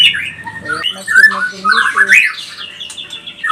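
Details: ['Loud, clear whistled song of a white-rumped shama (murai batu pastol), used to provoke other birds: rich varied phrases with swooping slurs and a long descending whistle, followed by high thin notes.']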